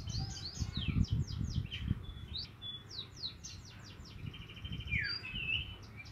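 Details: Juvenile Javan munia learning to call, producing quick descending high chirps, a few flat thin whistles and a falling slur, against steady low rumble.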